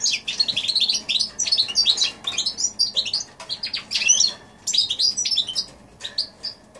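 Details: Goldfinch x canary mule, recorded January 2016, pouring out a fast, bright twitter of high chirps and slurred notes, pausing around three seconds before resuming.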